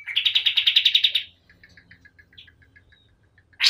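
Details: A white-eye gives a quick string of high chirps lasting about a second, followed by soft, faint twittering notes and a sharp final call.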